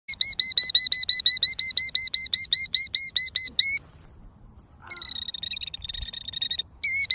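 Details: Female killdeer near her nest in a pasture, feigning a broken wing to draw people away, gives a fast run of high, clear, slightly arched notes, about three per second, then a pause and a fainter, broken series before loud notes resume.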